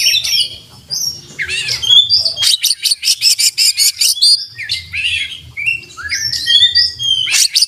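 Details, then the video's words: Oriental magpie-robin (kacer) singing a full song with open beak, packed with mimicked fill-ins (isian) and tutor phrases: rising and falling whistles, then a fast burst of sharp repeated chips around mid-clip, returning to varied whistled phrases. "kacer gacor buka paruh full isian dan masteran"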